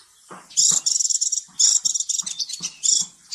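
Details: Kolibri Ninja sunbird giving a loud, dense, buzzy high twitter in long bursts, used to prompt a lazy bird to sing, with soft lower tapping sounds beneath.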